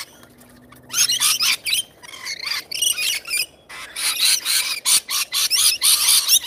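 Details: Wild rainbow lorikeets feeding give harsh, high, grating screeches and chatter in rapid overlapping bursts, several birds calling almost without pause.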